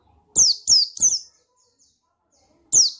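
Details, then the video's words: Three rapid piercing down-slurred chirps, a pause, then one more. Given by a male buxtoni white-eye as a stimulating call to draw song from other white-eyes. "Suara Bikin Pleci Ngalas Emosi Memancing Bunyi Pleci Bustomi Gacor Ampuh"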